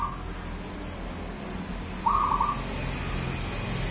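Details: Zebra dove (local perkutut) song of the bedah karang nabuh kentongan style: the tail of one trilled coo, then a full bubbling, slightly rising phrase about two seconds later, against a steady low rumble.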